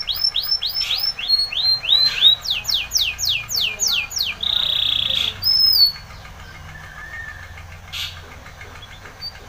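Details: Spanish Timbrado canary singing a training song: rapid series of arched whistled notes, then fast descending sweeps, a steady buzzy trill and a long held note, ending in quieter scattered chirps.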